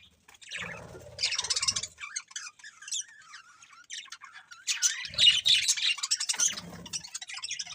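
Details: Budgerigars twitter and chirp continuously in high, buzzy, scratchy chatter that swells in two louder stretches, with occasional low rustling.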